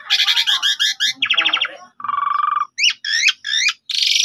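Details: An Asian Pied Starling gives a lure song to provoke a rival. Loud buzzy, nasal rattles are followed by a steady droning trill and then a run of rising, squeaky whistled notes.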